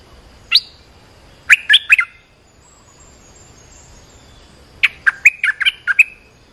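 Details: Olive-winged bulbul calling, as used to lure wild birds and teach young ones: a single sharp note, a brief chattering triplet, then a longer run of bubbly whistled notes.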